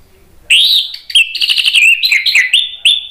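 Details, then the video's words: Agitated orange-headed thrush singing a rapid, continuous, loud phrase used to provoke other birds into song: sliding whistled notes run together into a fast, warbling burst of rising and falling tones. "ANIS MERAH spontan EMOSI NRATAK terus NGEPLONG"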